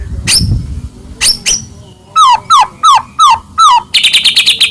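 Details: Caged white-rumped shama of the Medan type, song used to make other shamas sing and get agitated: a few high sharp notes, a series of five downslurred whistles, then a fast harsh chatter.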